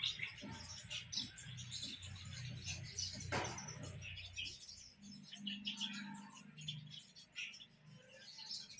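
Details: House sparrows in hot weather, a flock chirping constantly, with short sharp chirps overlapping throughout and a steady low hum underneath.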